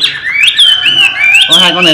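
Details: Chinese hwamei, a trained pet bird, giving smooth looping whistles that rise and fall continuously, with a burst of speech near the end.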